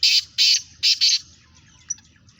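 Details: Black francolins competing by call. Four loud, harsh, grating notes are delivered in two pairs, followed by quieter chirps and a low background hum.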